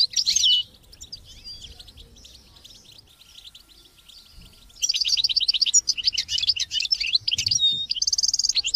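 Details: European goldfinch with a brief sharp twitter, a quiet gap with faint notes, then a sustained burst of fast rattling trills and high chirps.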